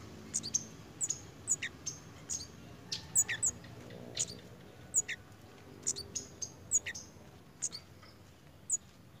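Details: Pied fantail in breeding condition. Thin, very high chipping notes are repeated irregularly, roughly every two seconds, with occasional doubled chips and faint lower squeaks against a quiet hum.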